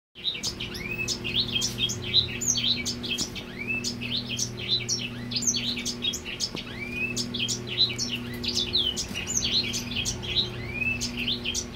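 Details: Male Grey Singer singing to a female: a dense, continuous run of quick high chirps, trills and short rising whistles, with a steady low mechanical hum underneath.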